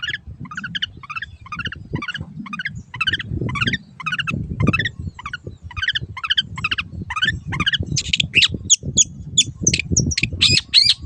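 A long-tailed shrike sings a fast run of sharp, scratchy chattering notes, shifting to higher, shrill squeaks toward the end, over low rumbling background noise.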